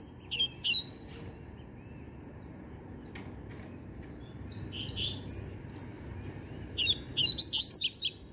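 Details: Young novice double-collared seedeater whose song tutoring is complete, singing its trained pattern: three separated bursts of high, quick chirping notes, the last a rapid jumbled series, over a soft low hum.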